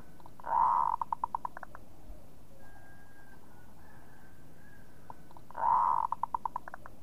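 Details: Local-type zebra dove (perkutut lokal) giving its kerot song twice, about five seconds apart: each phrase is a rasping, rolling purr opening into a quick run of clipped, ringing coo notes. Steady faint background hum between phrases.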